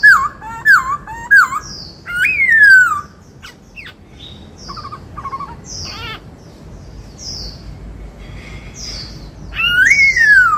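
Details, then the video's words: White-cheeked laughingthrush cage singer performing the 'bắt cô trói cột' song: quick up-and-down whistles, a long falling whistle, then soft high chirps and a trilled squawk, closing with another falling whistle. "Chim Khướu bạc má hót giọng bắt cô trói cột"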